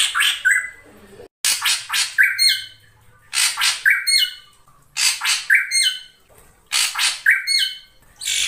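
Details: Energetic ashy drongo (krantil saeran) song for prompting caged birds: loud grating buzzy bursts followed by short flat whistled notes and high chips, phrases repeated roughly every one and a half seconds with brief gaps.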